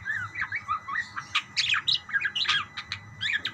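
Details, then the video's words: Several budgies answering one another with rapid chattering chirps, rising and falling squeaks and brief harsher notes, packed densely over a soft low background hum. "burung parkit bersautan"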